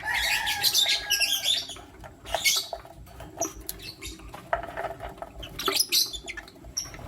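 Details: A Lutino lovebird male and two females, the male choosing a mate, in the morning: dense, busy chatter of harsh, high chirps and squeaks, rapid and irregular, with pauses and renewed bursts.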